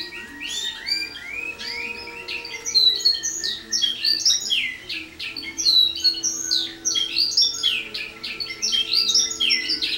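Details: Canary in early training, loaded with silvestres or wild bird notes and combining them into compuestas, partly rolled tour; loud continuous rapid chirping song with sweeping upslurred and downslurred notes and buzzy bursts, indoors.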